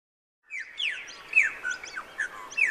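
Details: Australasian figbird at the Sherwood Arboretum, giving a quick run of sharp, downslurred whistled chirps, several overlapping, with clean quiet background.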